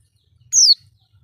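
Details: Single high, thin descending tseee note of an Oriental white-eye, played as a lure to draw in other birds, clear against near silence.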